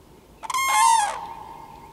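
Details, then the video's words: Common crane call, a single loud, brassy trumpet note under a second long, slightly wavering in pitch with a harsh rolling quality, rising abruptly out of a quiet background and trailing away. "Żurawie z głosem"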